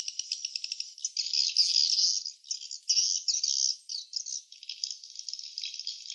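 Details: Nesting swiftlets opening with rapid ticking clicks, then loud buzzy twittered bursts and trills in uneven phrases, continuing in dense high chatter.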